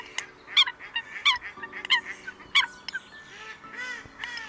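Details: Eurasian coot calling the flock with short, sharp calls at an uneven pace of about one and a half per second. The calls are fainter and mixed with softer chirps, over a steady low humming tone.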